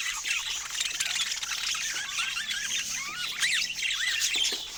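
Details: Pet budgerigars kept with other parrots, chattering together: dense warbling with quick rising and falling whistled notes and sharp chirps layered over one another, with the busiest bursts near the end.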